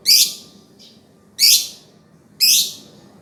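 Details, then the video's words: Three loud, buzzy lovebird chirps about one second apart, each a dense shrill burst, over steady low background noise. "Kicauan Burung Love Berd terkeren !!!"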